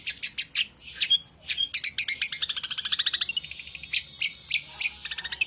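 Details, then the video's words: Long-tailed shrike (pented) in lively song: sharp chipping notes followed by a long, rapid buzzy trill that speeds up and then eases into spaced clicks, with a short whistle near the start. "Pesona burung pented gacorr"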